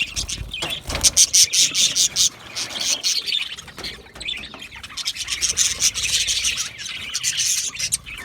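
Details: A flock of budgies chirping rapidly, roughly two to three notes per second, bright and metallic, interspersed with scratchy warbles and a brief quieter stretch midway.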